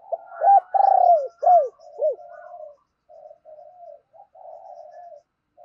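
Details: Spotted dove kept as a decoy, urging and cooing to call wild doves. Loud, arched, throaty coos are repeated quickly, then trail off into softer, drawn-out hoarse notes with short pauses.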